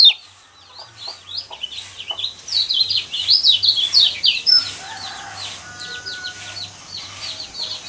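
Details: High, rapid twittering warble of a yellow white-eye, used as a provoking song to stir caged birds into singing. It bursts loudest midway, then trails into softer scattered chirps over a low hum.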